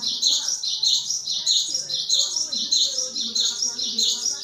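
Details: Java sparrow (gelatik batu) singing energetically as a lure or tutor song: bright, high, clustered chirps repeated in even bursts, about one and a half per second, with a faint steady hum underneath.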